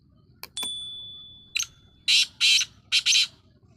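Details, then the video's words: Black francolin calling: a long steady whistle-like tone first, then four loud, harsh, grating bursts in two close pairs, rasping and broad-toned, over quiet background hiss. "Kala teetar bulai"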